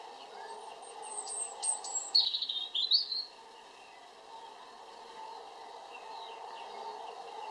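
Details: European robin song: a few thin, very high drawn-out notes, then a tumbling, trilled warble of about a second, followed by silence over a constant low hum.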